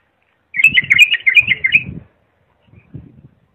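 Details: Clear bulbul song used to teach young birds: a rippling run of rapid whistled notes over soft low thumping, then a quieter low fluttering sound.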